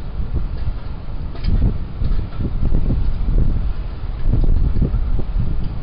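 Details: Steady wind buffeting and low traffic rumble fill the recording, with no animal call standing out.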